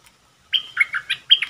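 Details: Red-whiskered bulbul kept as a caged decoy for bird trapping. It gives a brief, loud run of clear whistled phrases, about four quick notes, each sliding down in pitch.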